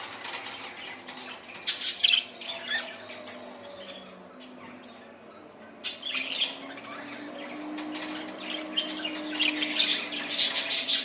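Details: Budgerigar flock twittering: scattered short, scratchy chirps and high clicks in irregular bursts, fading briefly midway, then a busier, brighter chatter building toward the end.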